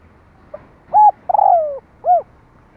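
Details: Spotted dove cooing used to excite a decoy bird for trapping: a soft faint note, then a short arched coo, a long burry falling coo and a final arched coo, loud and clear against a quiet background.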